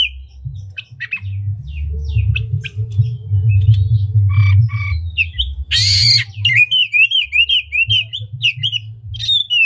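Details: Lure song of an oriental magpie-robin meant to rouse rival magpie-robins: scattered chirps over a low rumbling hum, a sudden harsh noisy squawk, then a run of quick rising-falling warbled whistles.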